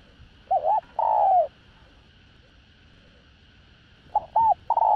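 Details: Lure cooing of a spotted dove, a pure field bird whose voice suits attracting wild doves. A wavering double note and a long falling coo come first, then after a pause a new phrase begins with a choppy run of short notes.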